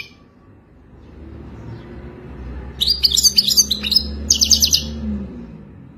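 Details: European goldfinch singing in the authentic Wadani style: after a quiet start, a burst of bright, rapid twittering and tinkling notes, then a second dense trill near the end over a faint low hum.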